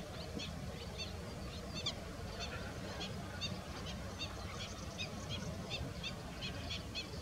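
Slender-billed gulls give a steady chorus of short, nasal, honking calls from many birds at once, over a low rumble of wind or water.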